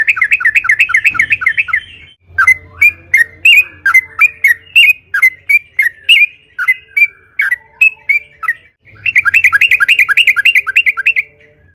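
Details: Lure recording of a trucukan (yellow-vented bulbul) singing full narung style: fast rolling warbled notes, then a long run of loud, separate chirps about three per second, ending in another rapid bubbling trill; low hum in places.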